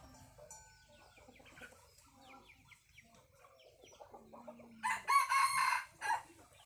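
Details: Red junglefowl crowing. Faint chirps and twitters from small birds fill the first seconds, then a loud, harsh crow bursts out near the end, lasting about a second and a half, followed by a shorter final note.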